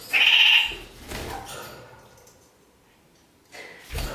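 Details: Kakariki, filmed walking upside down on a ceiling, gives one loud, nasal, bleating squawk, then softer scratchy chatter and a final brief harsh note after a quiet pause.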